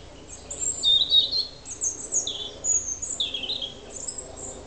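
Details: Autumn territorial song of a European robin, recorded 30 September 2007 in Alyth, Scotland: rapid sequences of high, tinkling whistles and liquid trills, rising and falling sharply in short phrases, over faint low background hum.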